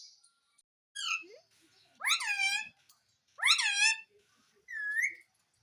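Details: Talking parrot kept as a pet, begging its mummy for bread: four clear, shrill, harmonic word bursts about a second apart, each rising sharply then wavering downward.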